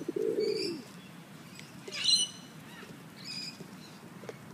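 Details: Wing-tagged sulphur-crested cockatoos in Sydney's Royal Botanic Gardens, toying with a discarded coffee cup: a thin high squawk, then a loud broad rasping screech, followed by a fainter one amid low rustling.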